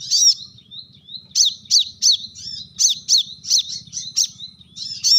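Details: Brown-throated sunbird giving sharp calls meant to challenge rivals: a rapid series of piercing, high, arched chips, some doubled, spaced roughly every third of a second, linked by thin whistled slurs.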